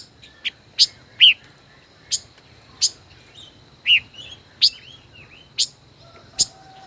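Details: Caged five-colored bird, a decoy over a year old in captivity, dueling in song: crisp high chips spaced roughly every second, mixed with short slurred notes.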